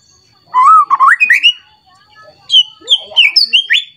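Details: White-rumped shama singing emotionally while searching for a rival, full of varied song material. A warbled, climbing phrase of whistles, a one-second pause, then a second phrase of higher, clipped whistles.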